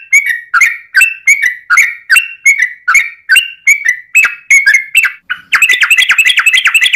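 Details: Yellow-vented bulbul lure song for drawing other bulbuls into singing. Steady bubbly chirps run for about five seconds, then break into a rapid, dense rolling trill, the long "ropel" style.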